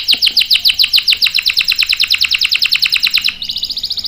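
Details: Canary song for luring and schooling young male canaries: loud, sharp notes repeat rapidly, about eight per second, for three seconds, then give way to a softer, finer high trill.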